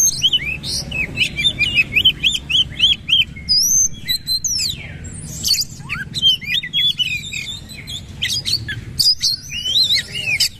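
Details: Kacer, the oriental magpie-robin, singing in the 'nembak' shooting style while bowing. A run of repeated rising whistled notes opens into dense, varied chattering and sweeping high phrases, loud and continuous.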